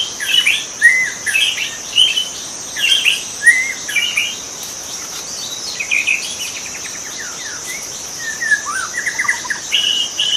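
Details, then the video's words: Wild white-rumped shama singing: varied whistled phrases and rapid trills in bursts of one to two seconds, broken by short pauses, over a steady high insect drone. "kicau murai batu di alam liar"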